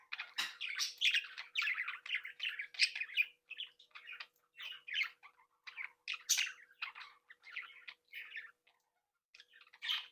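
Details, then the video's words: Captive breeding flock of Budgerigars, happy and playful, chattering nonstop: dense bursts of scratchy warbles and squeaky chirps, with brief pauses near the middle and end, over a faint steady low hum. "Sonidos de Mi Cría de periquitos Australianos"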